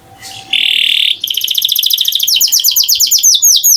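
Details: Canary song opening with a steady buzzy tone, then a rapid series of high sweeping whistled notes that grow louder and more slurred.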